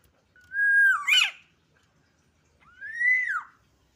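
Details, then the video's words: Black-naped oriole, excited and learning its song, gives a mellow level whistle that ends in a rough, rasping burst, then after a pause a clear rising-and-falling fluted note. The background is otherwise quiet. "kepodang emosi belajar bunyi"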